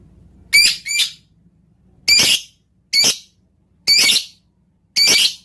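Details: Lovebird vocalizing to provoke other lovebirds: six harsh, squawking shrieks spaced about a second apart, the first two close together.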